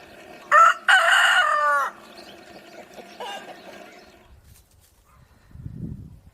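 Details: Rooster crowing loudly, a harsh, brassy cock-a-doodle-doo of about one and a half seconds with a short opening note, followed by a faint second call and quiet low rustling.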